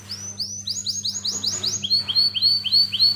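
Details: Singing canary used as a lure to get young 'paud' canaries and silent birds singing: bright upward-sweeping whistled notes repeated about four per second, first a higher series, then a slightly lower one, over a faint low hum.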